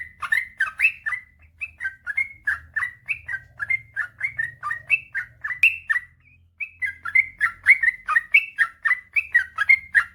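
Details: Yellow-vented bulbul (trucukan) singing gacor, in the long 'ropel panjang' style, as a master recording to get lazy birds singing: a steady stream of bubbly, fluty whistled notes, each varying in pitch, with a short gap near the middle.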